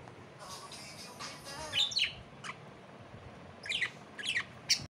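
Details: Pet parrot playing in the evening: a soft warbling passage followed by clusters of sharp, bright chirps and squeaks in short groups, with faint background hiss.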